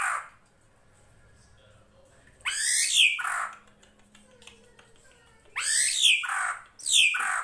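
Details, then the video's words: Drongo (srigunting krantil) master recording with flowing water in the background, used to train songbirds; three loud, grating screeches, each dropping steeply, separated by quiet pauses. "MASTERAN SRIGUNTING KRANTIL FULL ISIN"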